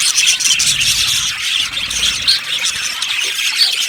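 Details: Overlapping chirps from a yellow budgerigar aviary colony: a shrill, rippling mass of twitters and squeaky whistles that rises and falls slightly in loudness.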